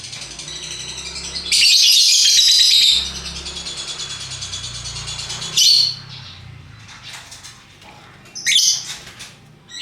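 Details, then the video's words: Lovebirds in varied colours give the ngekek call, a loud continuous rattling chatter of rapid high pulses lasting over a second. Quieter pulsed twittering follows, with two further shrill bursts. "Burung Lovebird Rupa Rupa Warnanya, Burung Paruh Bengkok, Bunyi Ngekek Gacor"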